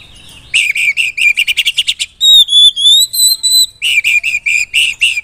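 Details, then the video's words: Oriental magpie-robin song aimed at provoking rivals, a rapid harsh chattering series, then long clear rising whistles, followed again by repeated buzzy chattering notes. "suara kacer super gacor bongkar isian || bikin lawan langsung emosi !!!"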